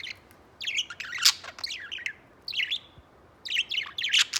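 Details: A white budgerigar warbles in three bursts of squeaky, chattering notes, each a jumble of quick rising and falling chirps, with quiet gaps between them.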